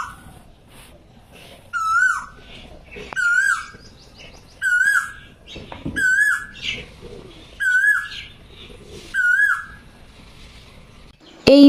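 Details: Morning Asian koel heard in spring from a bedroom window, giving loud whistled calls that climb and fall, seven in a steady series about every one and a half seconds, with faint background chatter and a sharp click at the end.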